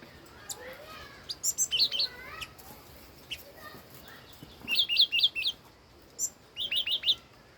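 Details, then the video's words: Old wild red-whiskered bulbul singing: bright whistled phrases of quick rising and falling notes, grouped in short bursts of three to four, with gaps of quiet between and faint chirps in the background. "Chim chi chi mào mồi già rừng hót tuyệt đỉnh"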